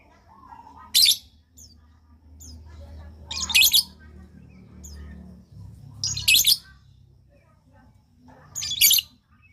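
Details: Lovebird calls for prompting other lovebirds to respond: four brief, piercing screechy notes about every two and a half seconds, with low hum underneath.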